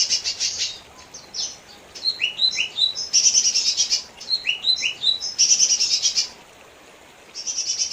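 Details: Song of a lesser green leafbird, mixing harsh buzzy chatters with runs of clear, falling whistled notes, the two elements alternating in busy, varied bursts.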